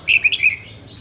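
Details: A female red-whiskered bulbul sings a single quick phrase of three or four clear, bright, slurred whistled notes, given close and loud over a quiet background.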